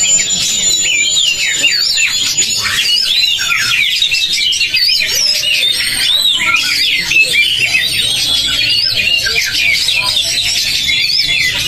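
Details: Several Oriental magpie-robins (kacer) in a simulated song contest sing at once in a dense, unbroken medley of loud, rich whistles, rapid slurred trills and sweeping high notes.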